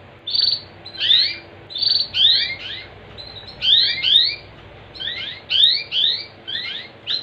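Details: Canary song, played as a lure to prompt other canaries to sing: bright downward-sweeping chirps in quick pairs and clusters, repeated in bursts about every second, with a faint steady low hum underneath.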